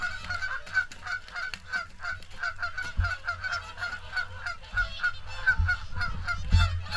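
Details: Swans at the morning feed at WWT Caerlaverock; a dense chorus of many honking, bugling calls overlapping continuously, with low rumbling background and occasional thuds.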